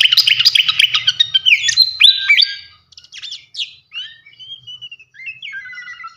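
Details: Fantail (srikatan kipas), a loud, freely singing champion bird used as training material for songbirds. Rapid burst of sharp chirps and ringing whistled notes for about 2.5 seconds, then softer scattered whistles and short rising slurs.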